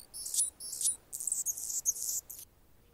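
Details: A male Anna's hummingbird guards its territory as a female tends a nestling nearby. Thin, high, buzzy notes come in dense clustered bursts, then stop abruptly, leaving a quiet final half-second.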